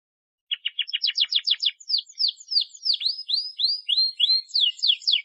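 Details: Canary song played as a lure to get young or lazy canaries singing. A fast, even trill of short clicking notes speeds up, then gives way to slower high whistled sweeps, some swooping downward. The sound is clean, with no other noise.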